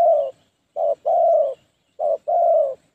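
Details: Spotted dove used as a trapping decoy to draw in wild doves, 'phá lúa' calling: a long hoarse coo, then two short-long pairs of low, throaty notes in quick succession.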